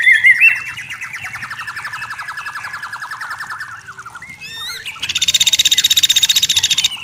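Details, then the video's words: White-rumped shama in forest giving a long fast trill of repeated notes, about four per second, descending slightly, then a short twisting phrase and a loud high buzzy rattle to the end. "Suara Murai Batu Hutan Jernih Alami Jernih Shama bird"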